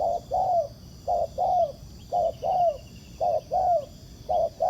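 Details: Spotted dove, a wild bird, answering a ground decoy used in trapping. Its cooing is steady and low, with a clipped note followed by a drawn-out downward coo, repeated four times.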